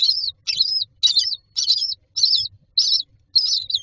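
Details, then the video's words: Common myna chicks standing in a row in a nest box waiting for food give harsh, buzzy, high rasping calls, repeated about every half second in short bursts, with a faint low rumble behind. "Myna chicks are standing in a row waiting for food"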